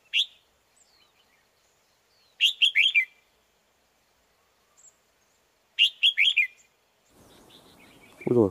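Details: Wild red-whiskered bulbuls in northwest Vietnam near a trapper's lure bird: two bright, bubbly bursts of four or five quick warbled notes, about three seconds apart, then a man's voice at the end.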